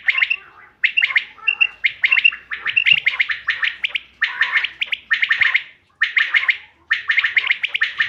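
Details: Common quail sounds used as a hunting lure, 5 June 2025: rapid, sharp, rasping phrases with brief whistled notes, repeated almost without pause about twice a second.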